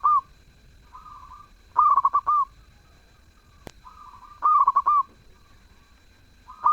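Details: Melodious, actively singing zebra dove giving short phrases of rapid, bubbling coos ending in a drawn-out note, with fainter soft coos between the louder phrases.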